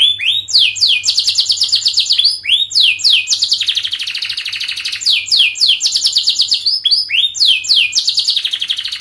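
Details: Canary song used as a model for teaching young canaries to sing: long, fast, dense run of rapid trills and rattles, with sweeping downslurred phrases alternating with buzzy rolling trills, continuous throughout.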